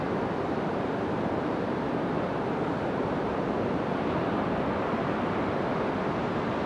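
Continuous roaring surf and wind noise fill the recording throughout, with no animal calls heard.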